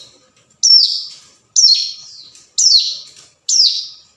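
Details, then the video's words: A hill prinia calling against a rival, used for luring: four loud, piercing notes, each starting high and sliding downward, spaced about one second apart on a quiet background. "suara panggilan ciblek gunung cocok buat pancingan"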